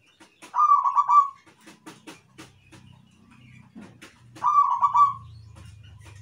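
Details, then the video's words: Zebra Dove singing actively: two fast, stuttered cooing phrases about four seconds apart, each a rolling series of pulses, with clicks, taps and a low hum in the background. "PERKUTUT IRAMA - GACOR"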